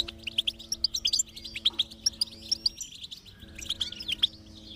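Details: Goldfinch song as encouragement for a silent goldfinch: clear, high chirped notes in quick runs, a short gap around three seconds, then more chirps with a thin whistled tone and a faint low hum.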